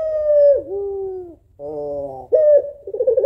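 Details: A female African collared dove of the puter pelung type calling the male: a sustained coo that falls away, a pause, a nasal buzzing note, then a fresh coo breaking into a fluttery roll.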